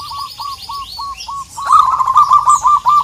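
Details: Local zebra dove calling out to a rival; spaced soft coos speed up into a loud, fast rolling trill of clipped notes, with thin high chirps above.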